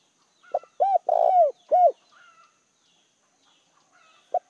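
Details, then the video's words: Decoy spotted dove calling to lure wild doves: a short run of low, round cooing notes, several quick hoots and one longer drawn coo, then a pause and a single late coo, with faint higher chirps. "Chim cu gáy gọi hay kích bổi chuẩn chim cu gáy mồi"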